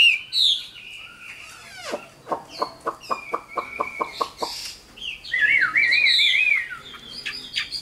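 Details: Mature wild-caught Chinese hwamei, Tam Hoàng type, giving a brief whistle, then a series of sharp dry clicks about three per second, followed by a loud rippling warbled phrase and higher squeaky notes.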